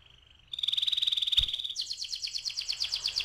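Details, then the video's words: Canary delivering 'ngeroll' rolling song, recorded as a lure to trigger singing: a steady buzzy trill shifts into a faster, higher pulsed roll, with a single low thump partway through. "PANCINGAN TERCEPAT dan SUKSES BIKIN KENARI GACOR NGEROLL"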